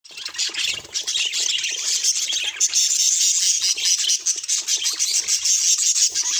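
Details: Budgerigar chatter: a dense, continuous wash of high, scratchy warbles and chirps running without pause, with a brief quieter dip at the start.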